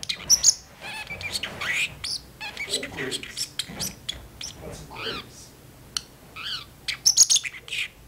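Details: Pet parrotlet in its cage chatting back and forth with its owner in a kitchen; rapid run of high, squeaky mimicked syllables and chirps, some word-like with rising and falling inflection.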